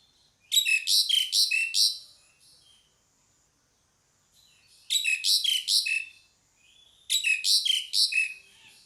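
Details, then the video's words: Three bursts of harsh, rapid pied myna notes, each of about six scratchy syllables with falling tails, separated by pauses of two to three seconds. "SUARA PANGGILAN JALAK SUREN"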